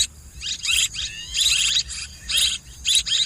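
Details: Swiftlet twittering: longer runs of rapid, shrill chirps, with rising and falling notes woven in, over a noisy low rumble and a faint steady tone.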